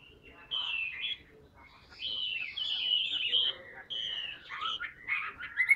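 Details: Caged Chinese hwamei, a large tame bird, singing phrases of warbled and whistled notes separated by short pauses, with a quiet room background.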